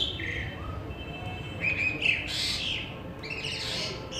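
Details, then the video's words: Asian pied starling, also called pied myna, singing in Pakistan: a short whistle near the start, then a rising whistled phrase followed by bursts of harsh, buzzy, high notes, over a steady background hiss. "Singing pied Starling bird nice (pied myna)"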